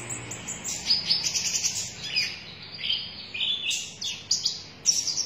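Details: Sunbird known as konin dada merah singing energetically with a run of bright, piercing twitters and short descending slurs, broken by brief pauses, in a quiet setting.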